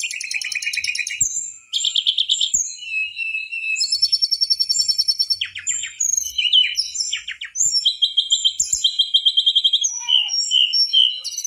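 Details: Mangrove whistler song, lively and continuous: dense, varied high whistles and rapid trilled phrases, with quick chattering runs and bright, sharp notes following each other with almost no pause.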